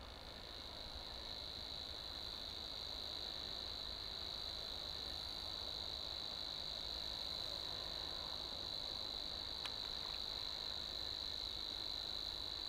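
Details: Savi's warbler (Locustella luscinioides) delivering its reeling song: a continuous, high, dry buzzing trill held at one steady pitch for the full length, with a single faint click partway through and a low background rumble.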